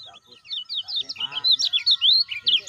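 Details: Lemon-bellied white-eye lure sound for caged birds that are not yet calling: a brief low rasp, then dense high chirps and rising slurred whistles in quick succession.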